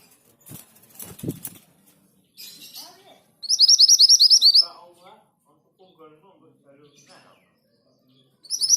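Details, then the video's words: An orange minivet sings actively, a fast run of about a dozen thin, high, sweet notes that starts again at the end, with wing flutters and soft low sounds first. "Burung sepah hutan gacor / mantenan gunung gacor (orange minivet)"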